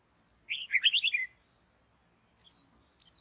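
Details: White-rumped shama in forest during bird trapping gives a short, dense burst of tumbling warbled notes lasting under a second. After a pause come two high, sharp downslurred notes.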